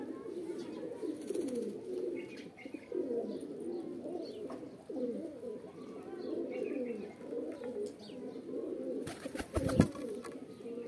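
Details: Low, bubbling pigeon coos overlap continuously, with faint chirps and a short loud rattle or knock near the end.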